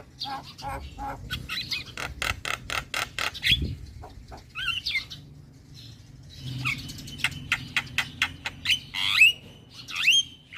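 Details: Young male black-winged myna in full song, used for tutoring and soothing stressed mynas: runs of sharp clicking notes, raspy chatters and short rising whistles, with a quiet pause midway before the chatter resumes.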